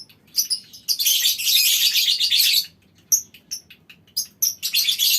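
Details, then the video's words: Several lovebirds kept in a mini aviary chattering as a colony: a continuous shrill, rasping ngekek run of nearly two seconds, then quick clipped chirps and renewed bursts. "Suara Lovebird Koloni Bikin Burung Lain Ikut Ngekek Panjang"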